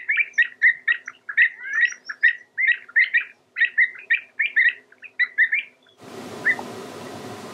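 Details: Marsh sandpiper giving rapid, repeated short sharp notes in a steady chattering run for about six seconds, then a burst of broad hissing noise with one faint note.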